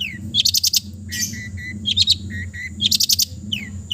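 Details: East Java long-tailed shrike in a relaxed, mimicry-filled song meant as therapy for quiet birds: buzzy trill bursts alternate with level whistled notes and quick falling slurs, low hum underneath.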